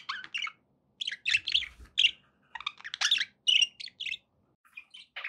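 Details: Pet budgies chatter in rapid clusters of scratchy chirps and squeaks, roughly two bursts per second, with a few clearer whistled notes and a faint low bump.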